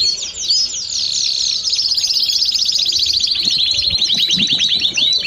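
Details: Belgian canary song made of a dense, rapid trill of repeated short sweeps that shift gradually in pitch, delivered continuously without pauses.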